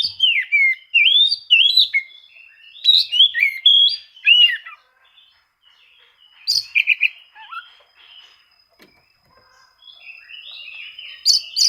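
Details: Oriental magpie-robin song used for seeking rivals and drawing silent birds into song: two bursts of varied rising and falling whistled phrases separated by a pause, with a soft faint warble at the end.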